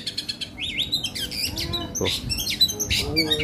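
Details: Caged Oriental magpie-robin at a bird kiosk in West Jakarta, singing right after being hung up: a fast, varied run of sweet whistles, slurred rising notes and chatters, with other birds and a brief male voice behind.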